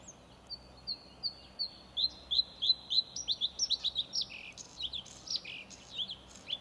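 A Bluethroat sings a quick run of high, clipped notes, about three per second, rising slightly and then breaking into varied twitters. The background is quiet.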